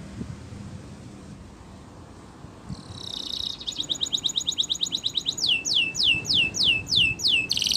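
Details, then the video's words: Spanish Timbrado canary training song starting after background hiss: a rattling roll, then repeated sharp descending notes and a closing buzzy burst. "Canary's Most Powerful Song For Training"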